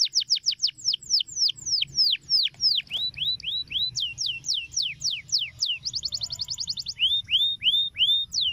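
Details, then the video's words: A canary sings a fast, varied run of high whistled sweeps and falling notes, then a quick rapid trill and rising slurred phrases over a low hum, played to coax young canaries into singing. "Cuitan Kenari Untuk Pancing Bunyi Kenari Muda Agar Cepat Gacor"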